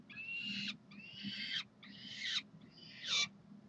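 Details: Saturday morning food calls from University of Calgary peregrine falcons, 9 June 2012: four drawn-out, hoarse wails, each under a second long, spaced by brief silences, the last sharper and rising.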